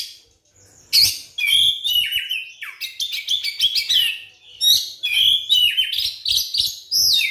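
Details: White-rumped shama, a caged bird, pouring out a continuous lure song used to trigger singing in other shamas: rapid chattering and whistled notes after a brief quiet opening.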